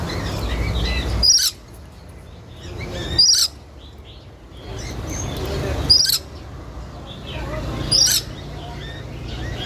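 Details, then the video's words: A parakeet gives four harsh, shrill screeches roughly every two seconds, over a steady low rumble of background noise. "The sound of the tia bird is very nice to hear"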